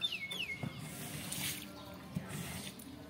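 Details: A young captive Nias hill myna, described as loud and noisy, gives two clear descending whistles in quick succession at the start, then quieter background noise with faint clatter.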